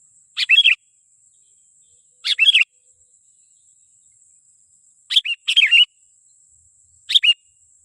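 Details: Sooty-headed bulbul used as a lure for wild bulbuls gives short, sharp, slurred notes, singly or in twos, roughly every two seconds, against a faint steady high hiss.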